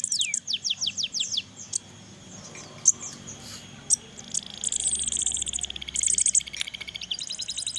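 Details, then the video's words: Crested jay chicks being fed: a series of quick, falling high chirps, a quieter gap with isolated ticks, then bursts of dense, buzzy, very high calling. "ngloloh anakan sogon"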